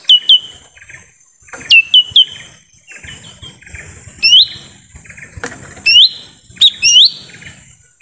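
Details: Forest recording of a lesser green leafbird lure call for drawing in wild birds: bright hooked whistles rising steeply, delivered in short clusters of two or three every second or so, with light background rustle.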